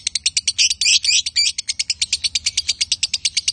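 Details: Male and female lovebird, a pair, giving a rapid, high, chattering run of sharp chirps, about three per second, briefly merging into denser buzzy bursts before settling back into an even pulsing series.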